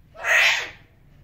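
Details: A pet parrot giving a spoken greeting (salam): a single loud, rasping, voice-like utterance lasting under a second, rising then fading, over a quiet background.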